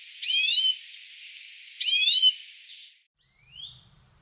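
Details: European greenfinch, Córdoba: two short, wheezy, harmonic-rich notes about 1.5 seconds apart, followed by fainter thin rising notes and a brief low rumble near the end.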